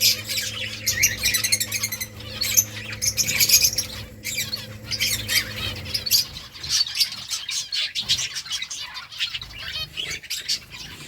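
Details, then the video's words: Finches feeding on rice chirp in a busy, overlapping chorus of short high notes and squawks, with soft wingbeats and a low hum in the first half. "birds chirping sounds"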